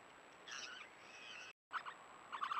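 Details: Three swift parrot chicks in a nest in Tasmania during the breeding season give harsh, raspy screeches in short bursts, faint at first and louder near the end, over a steady high electronic whine.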